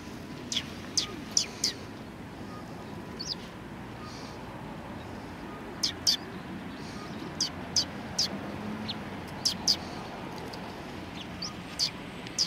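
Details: Sparrows at a Tenmangu shrine in Japan, February 2020: scattered high, sharp chirps, single and in quick pairs, come at irregular intervals over a steady low rumble of background noise.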